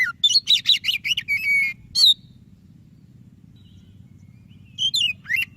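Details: Singing white-breasted oriental magpie-robin, played to stir reluctant birds: a fast burst of repeated chirps and a drawn whistle, a pause of nearly three seconds, then two more sharp whistled notes. A low hum continues throughout.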